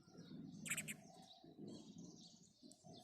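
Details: House sparrow in the morning with one loud, sharp double chirp near the start, then softer high chirps, while dove-like cooing murmurs low underneath.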